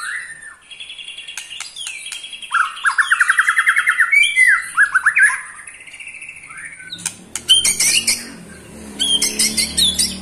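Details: Ketrekan rattle from an eight-month-old pet white-rumped shama, said to agitate other shamas: several stuttering trills of rapid, regular pulses, then sharp clicks and high chatter over a low background rumble.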